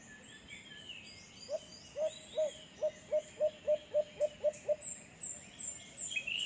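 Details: Recorded in San Pablo City, Laguna, a white-eared brown dove utters a brisk string of around eleven low, clipped hoots at a steady pace, while thin high-pitched bird calls and chirps sound in the background.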